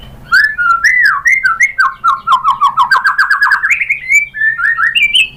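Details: White-rumped shama song used to goad a rival into responding: a varied run of whistles that settles into a fast, steady series of repeated notes, then climbs higher.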